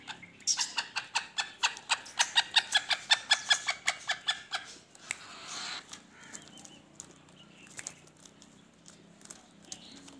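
A black francolin gives a fast run of about twenty harsh, grating notes over four seconds, then falls quiet against background noise with a few scattered notes.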